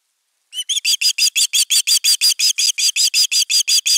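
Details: ['Osprey defending its nest at nest camera #3 on 31 August 2021: a fast, steady run of about eighteen sharp, high whistled notes, roughly five per second, with no other sounds.']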